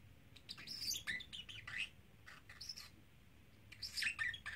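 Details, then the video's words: Young pet parrotlet, a three-month-old male, repeating words and phrases such as "Do You Want to Come Out"; sharp, high chirps and whistled syllables in quick clusters, separated by brief quiet gaps. "Talking Parrotlet"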